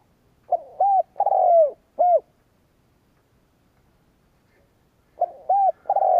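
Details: Spotted dove kept as a decoy bird, cooing to provoke rival doves: a phrase of a short note, an arched coo, a long falling coo and a final arched coo, a pause of about three seconds, then the phrase begins again.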